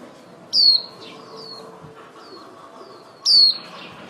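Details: Flock-calling female white-eye decoy used in trapping: two loud, thin, falling whistles about 2.7 seconds apart, with several faint, high, sliding notes between them.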